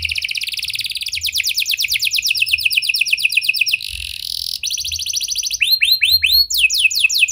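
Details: Vigorous canary song with prenjak and lovebird phrases, used to prompt other canaries to sing: long, fast, high rolling trills that change speed, then a series of sharp downslurred whistled notes.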